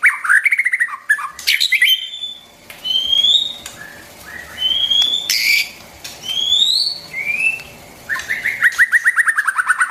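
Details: White-rumped shama song meant to train young birds: rapid descending trill, rising whistles and slurred phrases, ending in another fast series of repeated notes.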